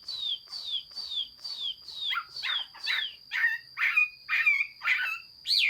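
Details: Hwamei song from 15 June 2021: a steady series of falling whistled notes about twice a second, turning into more varied, complex phrases with upward flicks and harsher edges toward the end.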